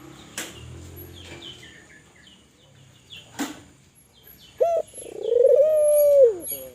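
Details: Spotted dove of Kelantan type in full voice, calling to prompt other doves: a few sharp clicks and rustles at first, then a short note and a long, steady, hollow tone that ends with a downward slur.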